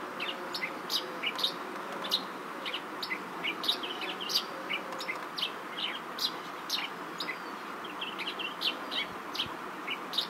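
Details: Chestnut-shouldered petronia, also called yellow-throated sparrow, at Sufi Anwer Safari Park, Ghotki, Sindh, Pakistan: short sharp chirps repeated irregularly, roughly two per second, over a steady broad background hiss.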